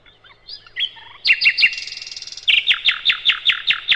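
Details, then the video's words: Sikatan londo, identified as the nightingale, in a master recording for training cage birds: soft varied notes, a buzzy rattle, then a loud, steady series of sharp repeated notes. "Materan Burung Sikatan Londo"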